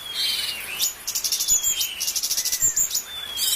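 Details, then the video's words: Bulbul filler song used as a master for training birds: a long descending whistle, then bursts of high, sharp chirps and quick buzzy notes in an uneven, stuttering rhythm. "CUCAK CUNGKOK Guru master TERISTIMEWA"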